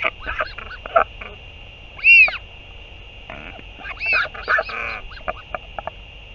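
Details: Northern royal albatross feeding scene from 8 June 2023, a parent returning to its chick; loud arched wailing notes mix with rattling, chattering sounds, over a high background hiss.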